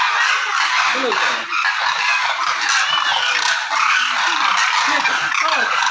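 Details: Demoiselle crane, known locally as koonj, calling during migration; a dense wall of overlapping harsh, rolling honks and croaks from many birds, steady and continuous without a break.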